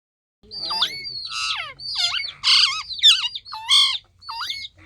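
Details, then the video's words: Green parrot calling, perhaps saying "mitthu": a run of seven harsh, screechy squawks with strong overtones and sliding pitch, spaced about every half second, with no other sounds. "तोते ने मिट्ठू की आवाज निकली"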